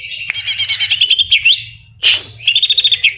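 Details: Greater green leafbird in full song pours out a fast, high stuttering chatter of about ten sharp notes per second, broken by one harsh burst, with phrases copied from other birds.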